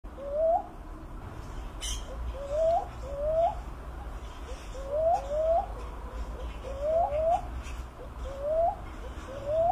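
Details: Philippine cuckoo-dove (Macropygia tenuirostris) giving soft, rising, whistled coos, mostly in quick pairs, with about six pairs repeated every second or two over a steady low rumble and a brief click near the start.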